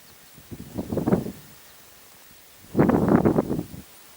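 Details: Rock ptarmigan on Munkhkhairkhan mountain, Khovd province, Mongolia, gives two low, dry, rattling croaks about two seconds apart, each a rapid burst of harsh pulses lasting about a second.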